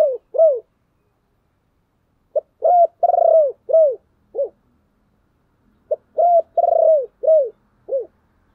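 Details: Spotted dove calling to attract other doves: repeated phrases of low, hollow coos, each phrase with a long, wavering central note and short clipped notes around it, given about every two to three seconds.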